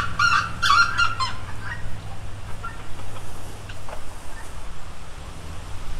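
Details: A rooster opens with a strong, grating crow lasting about a second and a half. A few faint calls trail off against a constant low hum.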